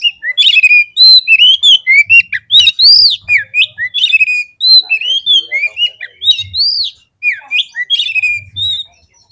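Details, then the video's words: Oriental magpie-robin singing in a fighting-provocation recording: a fast, energetic run of clear looping whistles and sharp upslurs, repeated in quick varied phrases, with a short pause before the last phrases. "SEKALI PLAY KACER KALIAN PASTI LANGSUNG NGOBRA !!! KEPANCING EMOSINYA FULL FIGHTER"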